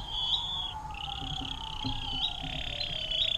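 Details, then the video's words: Canary performing the 'air mancuran' song for songbird tutoring: unbroken high rolling trills, shifting slightly in pitch, with a softer low whistled tone running beneath. "KENARI DENGAN LAGU AIR MANCURAN PANJANG"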